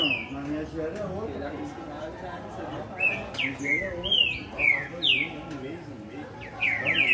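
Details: Green-winged saltator (Saltator similis) singing rich, clear whistled phrases of slurred notes, rising and falling, over low human voices in the background.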